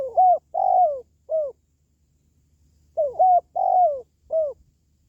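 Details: Spotted dove cooing, used to raise pet doves' morale or lure wild doves: two matching three-note phrases about three seconds apart, each a short hoot, a longer falling coo and a brief closing note, with a faint low hum.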